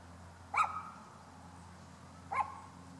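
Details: Bull-headed shrike at Ikuta Ryokuchi park, 29 December 2013, calling twice: two short, harsh, explosive notes about 1.8 seconds apart over a steady low hum.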